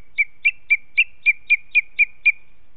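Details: Young booted eagle fledgling in a nesting area in Els Ports, July, watched by webcam, flying branch to branch and begging the female at the nest for food: nine sharp, high chirps, evenly spaced about four per second.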